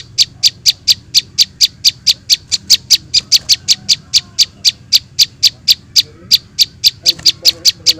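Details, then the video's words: Young prinias as a trapping lure: steady rows of high, dry chip notes about four a second, with faint lower twittering near the end. "suara anakan prenjak bawah"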